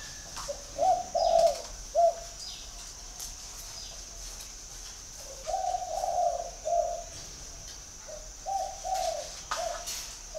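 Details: Spotted dove in Ba Vì, Hanoi, Vietnam, cooing in three groups of soft hollow notes, each a brief lead note and then longer coos, separated by pauses of about two seconds. A constant faint high whine is heard.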